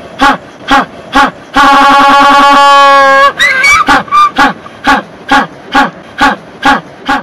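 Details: African penguin in South Africa (Boulders Beach, Lambert's Bay, Betty's Bay) brays loudly: short repeated honks around a long, harsh, drawn-out donkey-like call.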